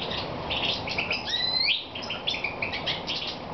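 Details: Moulting European goldfinch in Romania, evening of 22 May 2014, delivering quick high twitters broken by a long rising-then-falling whistled slur, followed by more tinkling chirps against constant hiss.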